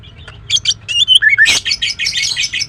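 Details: {'caption': "A female greater green leafbird's morning song: sharp chirps and falling whistled notes that break into a dense, harsh, scratchy chatter lasting the last second."}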